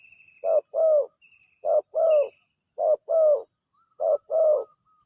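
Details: Lure call of a spotted dove that quickly gets answered: four two-part hollow coos, each a brief note followed by a longer, slightly wavering one, spaced about a second apart, with soft distant bird twitters and a thin high whistle.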